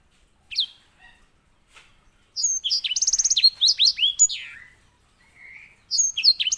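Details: Edel sanger, the white-rumped seedeater, sung as master song for canaries: a sparse opening note, then a lively run of buzzy rattles, downslurred whistles and a low rolling note, resuming briefly at the end.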